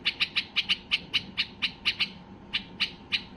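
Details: White-eared bulbul in a state of high excitement, singing to stir other bulbuls into song: a brisk series of sharp, bright chip notes, about five per second, with short pauses between runs.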